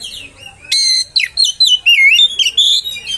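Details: Oriental magpie-robin provoking song meant to enrage other magpie-robins: a sudden harsh note, then a rapid run of whistled, sliding and warbled notes packed tightly together.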